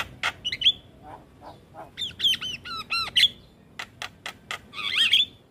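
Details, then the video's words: Javan myna gacor singing used to school young mynas: harsh squawks and a whistled twist, a burst of arched bouncing whistles, crisp clicks, then a buzzy warbling flourish. "Jalak Kebo Gacor Coba Ini Untuk Melatih Jalak Muda Jadi Gacor"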